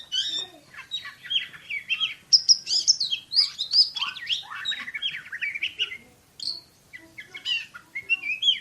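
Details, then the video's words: Champion Oriental magpie-robin in fast 'tembakan' (shooting) style: a dense, rapid volley of sharp high whistles and twisting notes, a short pause, then more scattered bursts. "KACER JUARA SUARA TEMBAKAN !!! BURUNG KACER NEMBAK SPEED RAPAT"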